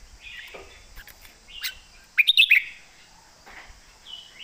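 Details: Caged Red-whiskered bulbul, a competition bird, sings a thick-toned master song. Sparse warbled phrases are followed by a quick burst of four or five sharp, clipped notes. A steady high hum runs underneath.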